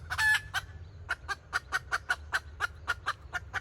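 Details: Red junglefowl decoy hen from 2024 in kataak-style calling: it opens with a loud harsh squawk, then keeps up a steady stream of quick, clipped clucks.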